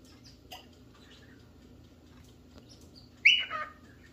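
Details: Cockatiel looking for a partner or playmate: after scattered soft chirps, one loud harmonic call near the end drops from a bright high note to a lower, drawn-out tone.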